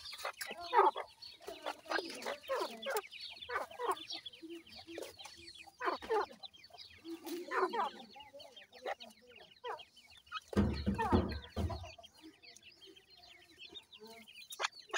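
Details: Grey francolin (dakhni teetar) mother feeding chicks, the chicks calling her: continuous thin high peeps over irregular low clucks, with a heavy rumbling noise burst near the end.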